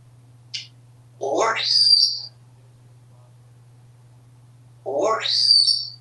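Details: Pet male African Grey parrot at home in Texas, happy and chatty, twice gives a voiced syllable that rises into a bright high whistle, about four seconds apart, above a steady low hum.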